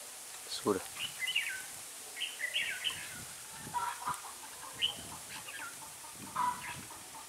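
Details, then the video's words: Red-whiskered bulbul serving as a decoy for trapping, giving short chirpy warbled phrases spaced a second or so apart, with clicks and rustling handling noise underneath. "Bẫy chào mào"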